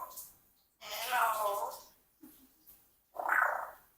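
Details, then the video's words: A 4-year-old Congo African grey parrot mimics speech: two voice-like bursts about two seconds apart with a soft low murmur between, in a quiet room. "Unexpectedly Talkative Parrot"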